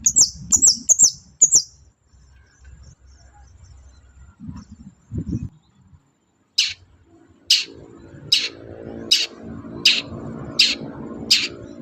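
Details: Long-tailed shrike singing in the morning to provoke other birds into answering: a fast burst of high thin notes, a pause with faint low rustling, then seven sharp harsh notes repeated about every half second over a low hum.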